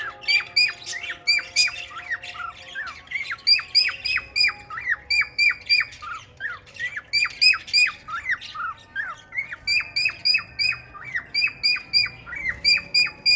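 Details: A male cockatiel sings a fast run of bright, chirping whistles, courting a female budgie.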